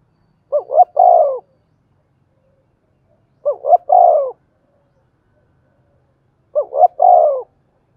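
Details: Spotted dove coo in the thổ đồng style, meant to prompt freshly caught doves into cooing. Three identical phrases come roughly every three seconds: two quick rising hoots, then a drawn-out descending coo, in silence otherwise.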